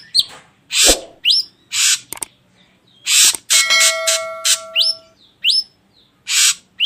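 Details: Lure recording of an ashy drongo mixing clipped rising whistles with broad scratchy rasps and a brief clicking burst. Steady tonal hums run underneath for a second midway.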